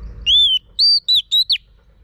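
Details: Female Oriental magpie-robin whistling to stir a male into singing: one long arched whistle, then a quick series of four shorter clear whistles, the last sweeping downward, over a quiet background.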